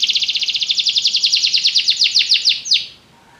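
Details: Canary song: a fast run of about twenty high repeated notes that slows and drops into longer down-slurred sweeps before stopping after roughly three seconds.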